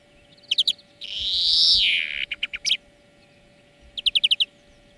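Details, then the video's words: European greenfinch song from a training recording made to teach cage birds: short high chirps, then a long loud buzzy wheeze rising and falling, then quick rattling trills of five to six notes. "Florya Ötüm Dersi"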